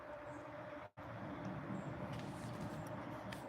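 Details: Steady low vehicle or train rumble with broadband noise and a brief cut to silence near the first second; no animal calls.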